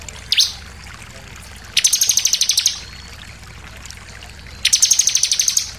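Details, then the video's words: Two fast trills of sharp, high repeated notes from a bar-winged prinia in insistent shooting song, preceded by a single sweeping note. "SUARA CIBLEK NEMBAK NGOTOT + VARIASI"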